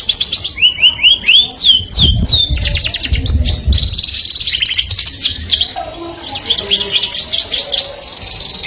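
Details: Canary in full song, sung to attract the opposite sex: sweeping whistled notes, dense rapid rolls and a steady held tone, changing phrase every second or two, with a faint low rumble underneath.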